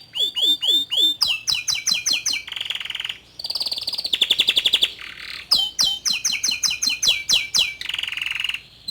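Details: Young male Atlantic canary singing to stir a juvenile canary into singing: fast repeated down-slurred notes, then dense buzzy trills and rattling tours, phrases shifting every second or so.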